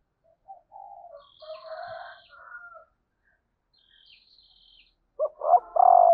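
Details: Female spotted dove giving its male-stimulating call: first, other birds' chirps and a high thin whistle, then a loud, hollow three-part coo ending on a long, steady note.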